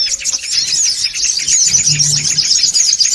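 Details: Short burst of noisy songon otong lure calling: rapid high chirps and thin twittering from many birds, about four notes a second, over a faint low hum.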